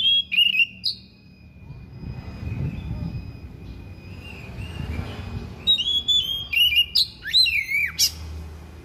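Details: Thick-billed oriental magpie-robin with fill-in song: a whistled phrase opens, then a stretch of low rumbling noise, then a rapid run of looping, up-and-down whistles and a sharp high note near the end.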